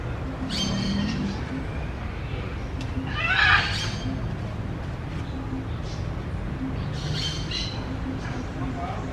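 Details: Macaws eating clods of earth, giving three harsh, raspy squawks spaced a few seconds apart over a steady low rumble of background noise.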